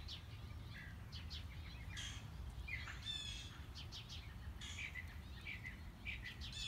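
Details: Mockingbird singing during a morning walk, cycling through its repertoire: varied chirps, rasping notes and short whistled slurs delivered in quick succession over low background rumble.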